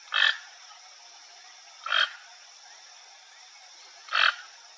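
A toucan gives three loud, harsh, frog-like croaks, each about two seconds apart. A steady high insect hum runs underneath.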